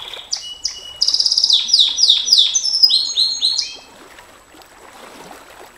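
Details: Singing canary, 'nembak panjang' style for masteran training: a few separate high chips, then a rolling sequence of descending slurred notes and quick trills, ending abruptly before near silence with faint background noise.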